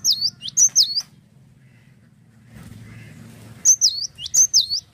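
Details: Cinereous tit singing energetically: three quick high whistled two-note phrases, each sliding sharply down, then a pause with a low hum, then another burst of the same repeated phrases.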